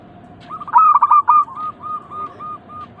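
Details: Local zebra dove song used as a lure: one stuttering burst of quick notes followed by a long, slowing string of soft, evenly spaced coos that fade toward the end.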